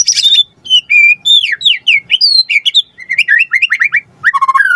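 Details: White-rumped shama (murai batu) singing a lure song meant to draw a quick answer: flowing sequence of slurred whistles sweeping up and down, buzzy notes mixed in, and a low warble at the end.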